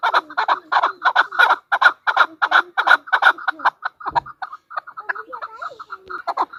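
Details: Female chukar partridge delivering a rapid series of loud, gravelly chuck notes, then softer, more broken calls after a brief dull thump midway.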